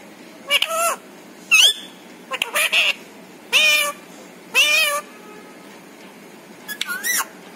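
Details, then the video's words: Pet parrot talking indoors, repeating learned words such as papa, mummy and Radhe Radhe; about six short voiced, speech-like phrases with wavering tones, roughly one per second, separated by brief pauses. "छोटू मिट्ठू की प्यारी बातें"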